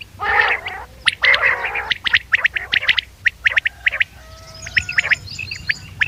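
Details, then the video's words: Common quail call recording used to lure birds for hunting. Nasal buzzy bursts open, then a rapid run of short, sharp whistled notes about every quarter second. Higher chirps join near the end. "بٹیر کی آواز شکار نایاب کیسٹ quail bird sounds for hunting common quail bird sounds"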